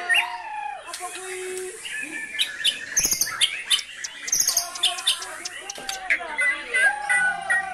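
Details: White-rumped shama singing hard with brantakan-fill material: dense overlapping whistles, jumping pitch phrases and fast chattering notes, steady and continuous throughout.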